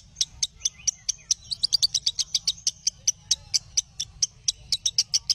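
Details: Lovebird song played to train other lovebirds: spaced shrill chirps that quicken into a dense run midway, then continue at a lively, even pace to the end over a low steady hum.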